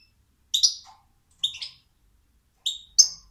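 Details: European goldfinch giving spaced, short bright chirping notes, four quick tinkling calls with clear silences between them and a quiet background.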